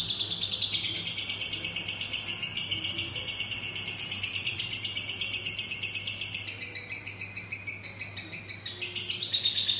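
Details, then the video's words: Extended ngekek from a lovebird, a relentless high-pitched ratcheting chatter with slight shifts in tone and brief dips near the end, with a faint low hum behind it. "Love bird durasi panjang"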